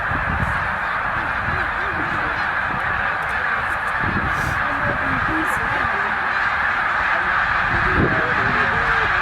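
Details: Roughly 100,000 migrating snow geese at Middle Creek wildlife refuge, their overlapping honks forming a loud steady roar, several clearer individual calls breaking through toward the end.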